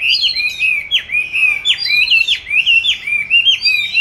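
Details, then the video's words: Oriental magpie-robin in a cage, hatched 29 July 2020 and recorded 22 March 2021 while training its song in an ideal spot; loud, rich whistled phrases repeated about twice a second, each swooping down and back up. "con than chuyền nuôi 29-7-2020(clip quay 22-3-2021) treo chỗ lý tưởng luyện hót"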